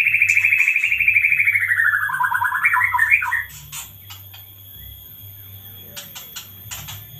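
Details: A caged white-rumped shama, bought as a spotted juvenile, gives a long, fast, chattering trill copied from a lovebird's long laugh, sliding down for about three seconds, then scattered soft chirps over a low hum.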